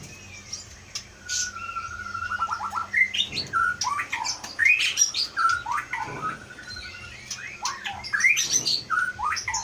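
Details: Mimicking white-rumped shama of Aceh Leuser stock, kept in a cage, sings a rich medley of whistled slurs, quick trilled bursts and sharp high clicks in rapid succession.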